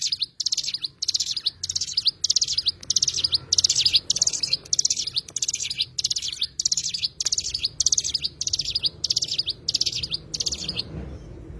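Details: Oriental white-eye (cigun) singing in short, high, rapid twittering bursts of about half a second, repeated steadily with brief gaps, with a faint low hum underneath.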